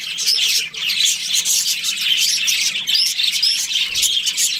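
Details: Shrill twittering and short upward squeaks from an Australian budgerigar breeding pair, a constant rapid chatter with faint low pulses at the start.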